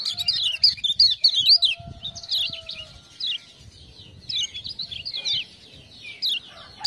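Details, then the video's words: Lemon-bellied white-eye master singer, spurred on by ciak-ciak sounds. Quick, high, wavering chirps pour out in a dense opening burst, then come in looser clusters, with a faint low hum in the background. "Kecial Kuning joss gacor"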